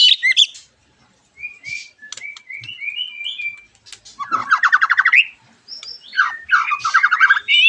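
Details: Lure song of a white-rumped shama meant to get other shamas singing: a run of short level whistles, then a loud rapid rattling trill, followed by varied whistled and chattering phrases.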